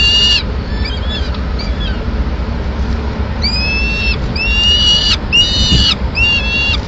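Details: At a nest in Madrid, 21 May 2016, a female peregrine falcon feeds two chicks pigeon meat; soft early notes, then a run of loud rising whining calls repeated about once a second, with steady low rumble beneath.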